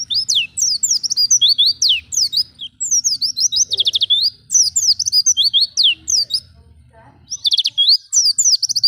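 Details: Lure of Oriental white-eye ngalas song, played so captive birds begin singing: extended, energetic high twittering of fast downslurred whistles, with one clear pause near seven seconds and a low steady hum underneath.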